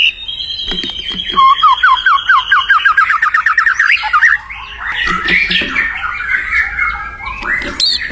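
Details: White-rumped shama singing in the wild: a high whistle leads into a fast rhythmic series of rising notes, followed by rough, chattering phrases and a sharp final upslur.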